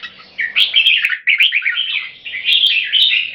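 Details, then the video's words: Pair of red-whiskered bulbuls competing through song, each attempting to dominate by singing as frequently as possible; lively, tumbling chattered notes in quick succession, separated by a short gap, punctuated by sharp ticking clicks. "Birds show aggression by Butir - Singing Frequency"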